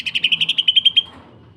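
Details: Greater green leafbird, a training bird for young and mature leafbirds, giving a quick phrase of about a dozen clipped, buzzy whistles at an even machine-gun pace, fading out within about a second.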